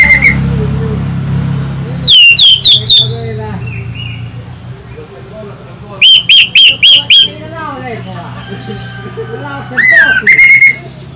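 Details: Orange-headed thrush lure song, loud and shrill: three separate bursts of rapid piercing whistled notes, four or five per burst, separated by quieter stretches of soft background twittering.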